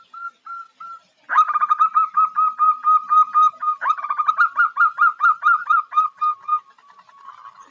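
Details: Female zebra dove (perkutut, Geopelia striata) calling to tease and lure a male: a few soft single notes, then a long rapid run of rolling, evenly pitched cooing notes, about five per second, fading into quieter notes.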